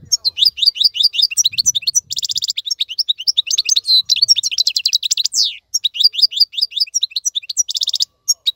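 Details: European goldfinch in song, offered as a tutor song for teaching young birds to sing: rapid, dense twittering phrases of bright, high notes, with buzzy trilled bursts and liquid tinkling runs, nearly continuous throughout.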